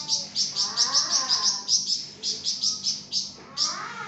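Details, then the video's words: Lively flamboyan bird recorded as a tutor for training other songbirds: steady, fast series of high, sharp chirps, roughly four per second, over lower, softer rising and falling warbles. "𝗯𝘂𝗿𝘂𝗻𝗴 𝗳𝗹𝗮𝗺𝗯𝗼𝘆𝗮𝗻 | 𝗳𝗹𝗮𝗺𝗯𝗼𝘆𝗮𝗻 𝗴𝗮𝗰𝗼𝗿 | masteran flamboyan"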